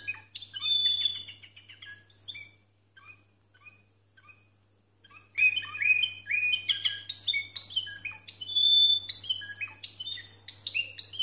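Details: Timbrado canaries singing discontinuous song, 92 and 93 points: bright metallic phrases, a quiet pause of a few seconds with scattered soft notes, then loud, rapid bursts of ringing notes resume.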